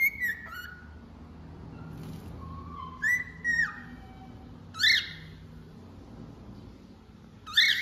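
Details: Cockatiel whistling, a pet bird; short whistled notes near two kilohertz, some sliding downward, come in separate bursts with quiet gaps and a low hum underneath.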